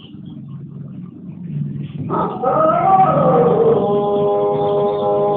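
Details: Champion Pelung chicken from Bandung Raya, Indonesia, starting a long crow after two seconds of low background murmur; the tone rises and bends, then holds as a sustained, strongly harmonic drone to the end.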